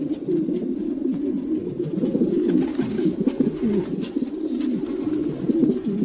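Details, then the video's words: Several domestic pigeons coo continuously in low, throaty, rolling phrases that overlap one another, with a faint room echo and no other clear sounds. "Sounds of pigeons.Pigeons,domestic pigeons"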